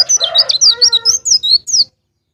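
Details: Dense, high twittering of a pleci (white-eye) in ngalas ngeplong style, played to coax caged birds into song, overlapping a lower harmonic call in the first second.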